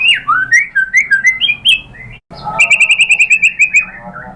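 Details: Lure song of a white-rumped shama (murai batu): varied slurred whistles sliding up and down, then a brief gap before a fast, even string of about ten bright clipped notes.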